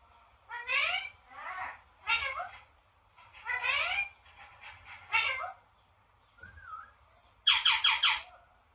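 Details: Parrot producing a run of harsh, falling harmonic calls. Near the end it switches to a soft whistle and then a rapid burst of four clipped, squawking notes.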